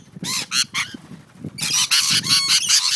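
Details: Rainbow lorikeets squabbling in a backyard on the Central Coast, New South Wales: rapid harsh screeches, with a low rustling or flapping underneath.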